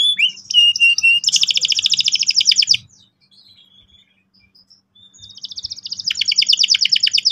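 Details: Canary in steady song, meant to stimulate young birds to roll: short whistles, then a dense buzzy trill lasting about a second and a half, a quiet pause, and the trill returning.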